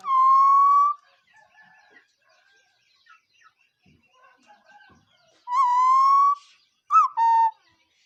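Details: Bird giving a long level whistle, then a pause with faint soft chirps and rustles. Two more whistles follow, a rising one and a short falling one.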